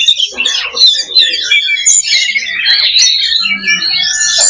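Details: Oriental magpie-robin 'loba' simulation for fighter mentality: varied whistled phrases sliding up and down, interleaved with harsh chatter and quick trills, ending on a rising high whistle.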